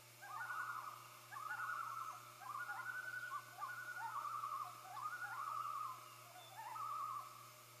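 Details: Common loons calling on hatch day for their first chick, a chorus of wavering, laughing tremolos in linked phrases about a second each, almost unbroken throughout, over a faint low drone.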